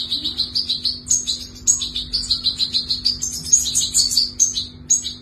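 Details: European goldfinch, a young chick being fed: steady stream of high, thin, slightly buzzy begging chirps, roughly two per second, some notes rising higher, with a constant low hum underneath.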